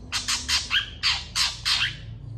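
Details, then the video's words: Long-tailed shrike (cendet) in lively, emotional song, responding to other shrikes. It gives a fast series of harsh, raspy squawking notes, about seven strident bursts in two seconds, over a faint low hum. "CENDET FULL TEMBAKAN PANJANG . . PENTET GACOR DOR FULL EMOSI CEPAT DI RESPON CENDET LAIN"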